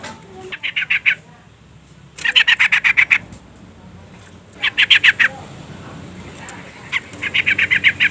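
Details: Repeated bursts of rapid, rasping chatter from a female sooty-headed bulbul calling a male, with four bursts of five to eight notes each, several seconds apart.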